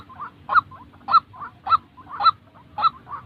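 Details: White-breasted waterhen, real call for decoy training: loud throaty honks alternating with quieter croaking notes, about six loud notes in three seconds, over a faint steady hum.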